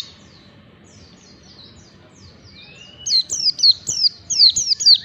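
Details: Oriental white-eye training song for caged birds: quiet faint chirps at first, a thin rising whistle, then a loud sequence of sharp high downslurred notes repeated about twice per second.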